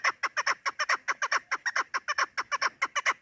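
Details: Female chukar partridge call used in hunting to attract birds: clear, evenly spaced chuk clucks, frequently doubled, delivered rapidly and steadily.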